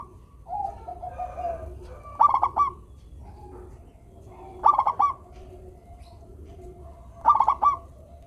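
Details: Local zebra dove with a sweet voice delivers three evenly spaced bursts of rapid, rolling coos, softer dove murmuring filling the gaps, as a prompt for lazy doves to sing.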